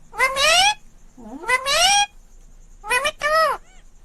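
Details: Talking green ringneck parrot uttering three voice-like phrases, each a pair of tonal syllables with rich harmonics: a short rising note, then a longer bending one, separated by about a second of quiet room tone.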